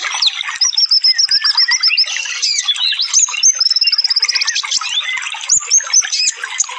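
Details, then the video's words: Sunbird song in rapid 'full tembakan' bursts, meant as masteran for cage birds: dense high chirps with a quick run of repeated thin notes, then a fast trill of clipped notes midway, several voices overlapping. "suara burung konin full tembakan"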